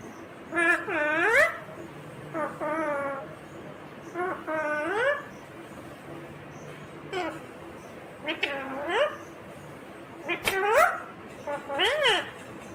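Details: A green rose-ringed parakeet talks in nasal, speech-like phrases that swoop up and down, about six short bursts with pauses between them over a quiet background hiss.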